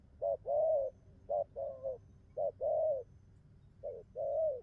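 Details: Wild-caught young spotted dove in fresh song, cooing well: three spaced pairs of soft, low coos, each a short note leading into a longer, slightly wavering arched note, separated by pauses.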